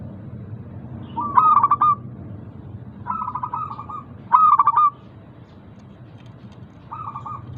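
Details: Local zebra dove lure song, played to get reluctant doves singing. Three loud phrases of choppy pulsed notes run into short trilled coos, then a softer coo near the end, with a low rumbling background.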